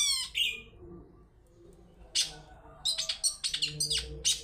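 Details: Long-tailed shrike lure song in the 'toet toet' style, used to provoke other birds into singing: a harsh, buzzy opening, a pause, then a burst of quick, sharp chattering notes toward the end.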